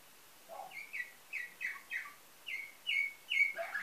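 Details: Nightingale-type singing canary, Varna, Bulgaria, 2013. A clean sequence of short down-slurred whistled notes, roughly two or three per second, with occasional lower accents and a closing flourish.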